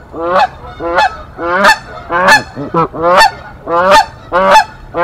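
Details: During a nest fight in Decorah on 1 April 2024, Canada geese, the resident mother and father, drive off an intruding female. Rapid harsh honks, about eight in five seconds, come in an uneven, agitated series.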